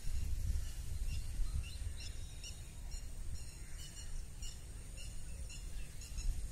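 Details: Birds chirping outdoors in Northern California during spring 2023. Many brief, high, sharp chirps are scattered unevenly through the recording, set against a constant deep rumbling background noise.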